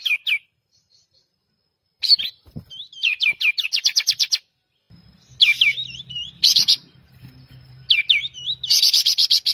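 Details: Pied triller singing energetic phrases: sharp falling chirps, a rapid trill of about ten repeated notes, and dense high rattling bursts, with a low hum in the background.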